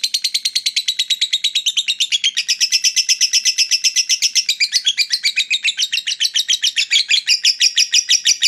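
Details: Long lovebird 'ngekek' trill used to stir rival fighter lovebirds into answering: a continuous high chattering run of notes, about two per second, sustained over eight seconds with slight shifts in pitch.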